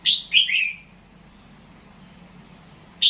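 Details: Red-whiskered bulbul in nap dok style from Loei province, Thailand, gives one bright three-note phrase of falling whistles. A quiet pause with a faint low hum follows, and the next phrase just begins at the end.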